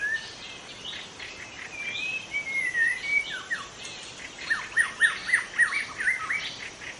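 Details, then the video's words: Wild forest white-rumped shama singing: a long sweeping whistle rising and falling near the start, then a fast series of short clear whistled notes and chattery bursts, with quiet background hiss. "suara asli murai batu hutan cocok untuk Memancing murai batu lain"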